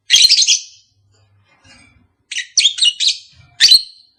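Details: Caged lovebird pair, calls offered to stimulate mating: a loud raspy chirp burst, a quiet pause with faint low noise, then a run of scratchy high notes and a final sharp chirp.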